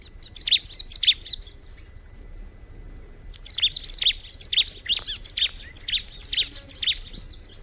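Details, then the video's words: Bar-winged prinia singing in a natural setting: two bright, high chirps, a short pause, then a steady run of about nine sharp, repeated high notes, roughly two per second, against quiet background noise. "Terapi kicauan alam burung ciblek"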